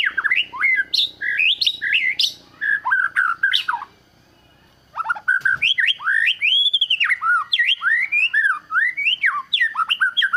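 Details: White-rumped shama singing to seek out a rival, used as a model song for training other shamas: rich, looping whistled phrases sweeping up and down, delivered in fast bursts with a short silent pause midway.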